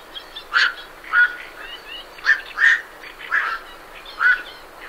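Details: Night herons calling as they leave their roost, recorded fairly close, with great reed warblers in the background: harsh, hoarse croaking 'kwok' notes, about seven in five seconds at irregular half-second to one-second gaps, over soft chattering warbler song.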